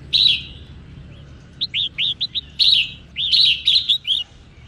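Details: Female red-whiskered bulbul singing to excite males: a loud opening note, a quick series of short rising chirps, then several rich warbled phrases, with low background hum.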